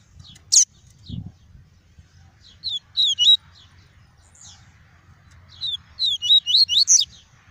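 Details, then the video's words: Double-collared seedeater in a cage, clean tuí tuí song meant to stimulate birds and train youngsters: two bursts of rapid, high whistled notes swooping up and down, the second phrase longer, with a faint low hum beneath. "PAPA CAPIM CANTANDO MUITO! TUÍ TUÍ PURO - ESQUENTE SEU PAPA CAPIM EM 5 MINUTOS!"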